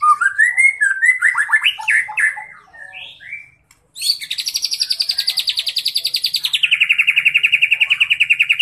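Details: Young caged white-rumped shama singing a stuffed, varied song: rising whistled notes and choppy phrases, short silence, then a long fast buzzy trill that steps down in pitch partway through.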